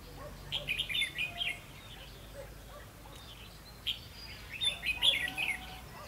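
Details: Red-whiskered bulbul recorded while trapping on 22 October 2016. Two rounds of fast, jumbled warbling chirps, the second louder and busier, with a soft hiss between them.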